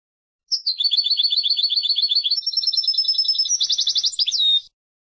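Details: European goldfinch song: after a short pause, one continuous four-second phrase of fast, tinkling repeated notes rises slightly in pitch, then breaks into a harsh rapid trill and closes with a brief descending note. No background sounds.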